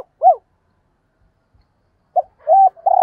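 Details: Spotted dove decoy cooing for calling in other doves: a lone arched hollow coo, a pause of nearly two seconds, then a clipped note, a flat coo and the start of a long low coo.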